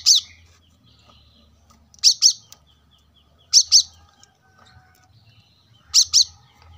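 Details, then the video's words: Brown-throated sunbird singing gacor, recorded as a masteran training track for cage birds at a roadside house: sharp, very high double chirps repeated about every two seconds, with quiet low traffic rumble between them. "kolibri kelapa gacor masteran untuk burung bahan agar cepat bunyi gacor setiap saat"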